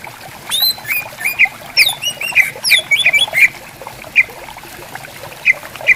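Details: Greater green leafbirds answering each other in bamboo forest beside a clear, gently flowing river: bright slurred whistles and sharp upward-flicking notes in quick bursts, with steady trickling water beneath.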